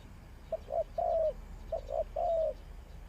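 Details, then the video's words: Two cooing phrases from a spotted dove kept as a trapping decoy, each a brief note, a rounder coo, and a longer gently falling final note, over a soft low background. "Sound Of Spotted Dove is so good"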